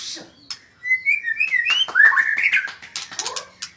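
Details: A magpie-robin sings a flowing, varied warble of sliding whistled notes rising and falling in pitch, mixed with quick high clicks and chips in a busy, irregular run.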